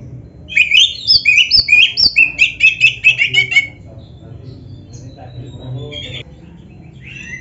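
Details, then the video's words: Oriental magpie-robin, a kacer kept by Indonesian bird fanciers, delivering mimicry-rich song. A rapid burst of sharp chirps and whistles lasts about three seconds, then near-quiet with a few faint distant notes. "MASTERAN BURUNG KACER GACOR FULL ISIAN MEWAH"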